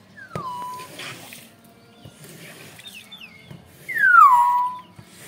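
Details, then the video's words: Young Nias hill myna, kept as a pet bird in Indonesia, calling loudly: a clear whistle sliding down from high to a steady lower tone, then a fainter pair of short notes and a second louder descending whistle. "Beo nya masih muda"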